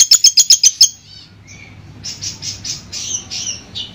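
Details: Long-tailed shrike song used as sound therapy for a shrike that has stopped singing: a rapid series of six sharp, high chattering notes, then softer buzzy phrases and a run of harsh, repeated high notes.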